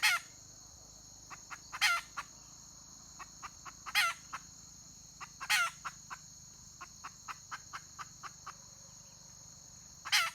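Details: Wild red junglefowl hen recorded 31 May 2023, giving loud harsh rasping calls roughly every two seconds, five in all, with short soft clucks between them over a steady high insect drone.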